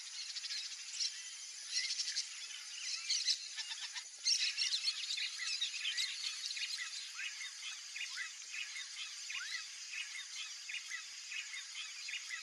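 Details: Free-ranging pair of Yellow-rumped Marshbirds in a swamp in Brazil, locally Chupim-do-brejo, giving a steady stream of high chips, chatters and short rising notes, with a louder burst of clustered calls around the middle.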